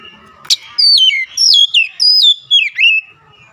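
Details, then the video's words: Oriental magpie-robin singing a run of five or six loud whistles, each sliding down from high pitch, after a single sharp click. "KICAUAN MENAIKAN EMOSI KACER"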